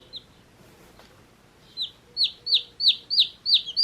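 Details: One-day-old domestic chicks peeping: after a quiet start, a run of loud, high, downward-sweeping chirps begins, coming roughly three per second and rising in volume toward the end.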